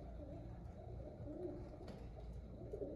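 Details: Low, gurgling pigeon coos rise and fall gently amid a steady low-pitched background noise.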